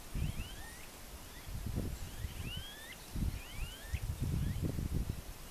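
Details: Smooth-billed ani (Crotophaga ani), song.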